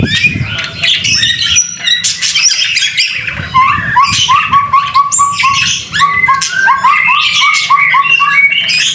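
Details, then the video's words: Energetic white-rumped shama song in the rain, made for training other songbirds: varied whistles and harsh chirps, then a quick series of about a dozen repeated rising notes, all continuous over a low steady rain-like rumble. "BIRD SOUND IN THE RAIN SUPER SPECTACULER / MASTERAN MURAI BATU GACOR"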